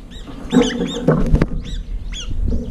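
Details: Several brown-eared bulbuls crowding a feeder with little food left, fighting and flying up between bites; short rasping arched calls over loud low thuds and knocking.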